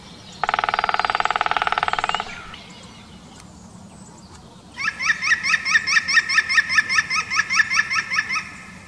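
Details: European green woodpecker: a loud, rapid buzzing burst lasting nearly two seconds, a quiet pause, then a steady laughing series of ringing, slightly rising notes, about two or three per second, over faint background noise.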